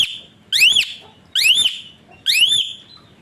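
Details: Asian pied starling whistling like a referee's whistle, used to train other birds: three strong, rising-then-falling whistles roughly one second apart, each fading into a faint tail.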